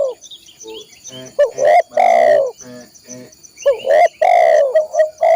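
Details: Spotted dove song for training caged birds: long hoarse coos with short lead-in notes. Between the coos come low rapid pulsed notes and scattered chirps, over a continuous high-pitched buzz.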